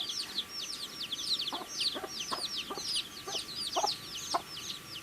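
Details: Several baby chicks chirping while they eat, a busy stream of thin, high peeping notes, downward-slurred and overlapping, punctuated by irregular pecking taps on food, a low steady hum in the background.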